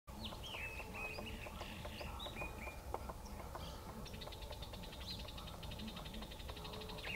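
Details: Rufous-tailed jacamar calling: sharp, high notes repeated in short runs, then a fast, even series of thin, clipped notes. A steady low hum and background noise run throughout.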